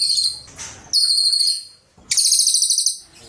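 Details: High shrill trills from a cililin, a burst of about half a second followed by a longer, pulsing, rattling phrase after a pause.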